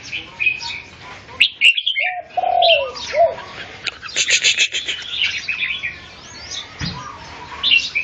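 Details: Red-whiskered bulbul singing in competition against another bird: bright, chirpy whistled phrases and rapid trills, with a short burst of dense notes near the middle. A lower, soft cooing note is also heard early on.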